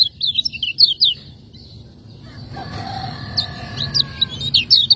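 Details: Lemon-bellied white-eye from Lombok, caged contest bird, master song: quick sharp chirps, a brief lull with a soft faint tone, then renewed rapid twittering notes.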